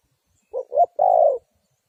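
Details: Spotted dove kept as a lure bird for trapping wild doves, giving one phrase: two short, low hooting notes and then a longer, even coo, in otherwise silent surroundings.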